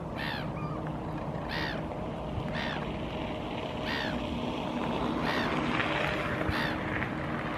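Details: Hooded crow (Corvus corone cornix) foraging and drinking along a shoreline in Helsinki, Finland, April 2023; roughly seven hoarse, nasal caws repeated every second or so over a broad wash of rumbling noise, possibly water or a passing boat.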